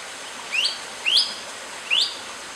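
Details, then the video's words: Long-tailed broadbill giving three loud, sharply upslurred whistles, each a brief rising 'sweet', about half a second apart. Quiet hissing background. "Long-tailed Broadbill Call/Song"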